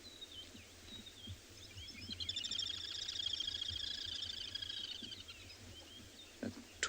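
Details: Little grebes on a misty dam, South Africa, morning, 23 June: long high rapid whinnying trill swelling and fading over about three seconds, with thin whistles from another bird and low background rumble.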